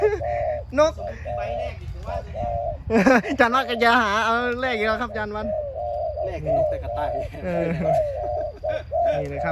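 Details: Spotted dove kept as a decoy bird, tested with a team before a competition. It gives steady, low, hollow coos in a repeated phrase. A man talks loudly in Thai through the middle, with a low background hum.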